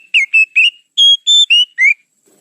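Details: Oriental magpie-robin song used as a lure: seven clean whistled notes in quick succession, the middle ones held steady and the last sliding upward.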